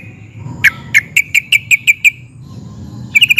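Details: An excited yellow-vented bulbul (trucukan) delivering its 'ngeplik' style meant to draw replies from other bulbuls: eight sharp, separate bright notes spaced evenly, then a short quick cluster after a pause.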